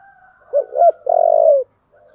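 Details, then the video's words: Spotted dove with a thổ-style voice, goaded to fight, giving two short swelling notes and then a drawn-out, slightly vibrating coo. A faint steady higher tone runs beneath. "cu gáy giọng thổ/ cu gáy thúc đấu căng lửa"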